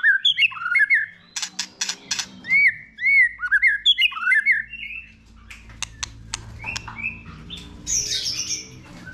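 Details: White-rumped shama song played to stimulate a young bird into singing: rapid varied phrases of rising, arched whistles and sharp clicks, then harsher buzzy notes toward the end, indoors.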